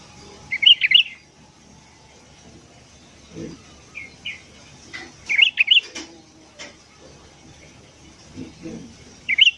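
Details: ['Morning sooty-headed bulbul song, used as a lure for wild birds: three short bubbly whistled bursts spaced several seconds apart, with soft chirps and light rustling between.']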